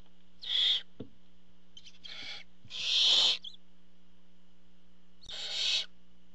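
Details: Barn owl at the nest when the father arrives with prey: four uneven, raspy hiss-screeches of varying length, the longest about half a second, with a soft thump between calls.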